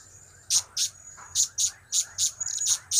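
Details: Shrill, high-pitched chips from a blue-crowned hanging parrot, the cap-cap, kiak-kiak and crap-crap call types, delivered in evenly spaced pairs about half a second apart over a constant thin background whine.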